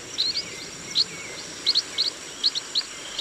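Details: Brief burst of chestnut munia calls in a rice field, sharp high chirps mostly in quick pairs, several per second, over a faint steady high-pitched tone.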